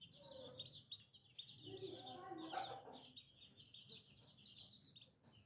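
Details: Little chicks peep steadily at a high pitch, while a lower, throaty clucking sound rises briefly in the middle.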